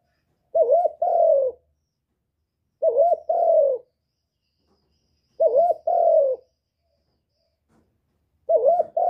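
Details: Spotted dove calling to stimulate other birds: low mellow cooing phrases, each a short rising-falling coo followed by a longer drawn-out note, repeated four times about every two and a half seconds in a quiet setting.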